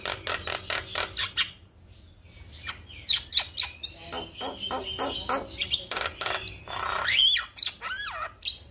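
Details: Black-winged starling singing in the morning, meant to rouse a quiet bird: fast bursts of raspy chatter, scattered sharp whistles, then loud descending slurred squawks toward the end.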